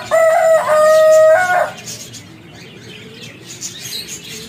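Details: Black Buff Orpington rooster crowing: a loud multi-part crow of about one and a half seconds, steady harmonic notes with a strained rising finish, followed by quieter background sounds.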